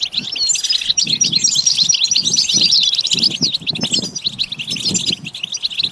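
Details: Song of a European goldfinch, rapid liquid twitters and chirps running on continuously, with a few buzzy notes mixed in; soft low thumps and knocking noises sound in the background throughout.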